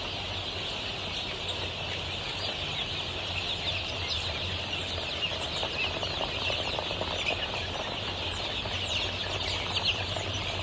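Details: Flock of 23-day-old Golden Misri chicks kept for sale on a Pakistani poultry farm, giving a continuous high-pitched mass of peeping with frequent brief chirps standing out, backed by a constant low droning hum.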